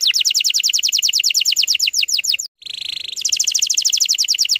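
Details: Canary song for training young canaries: quick even trill of repeated high notes, a short gap and harsh buzzy burst, then the rapid rolling trill resumes.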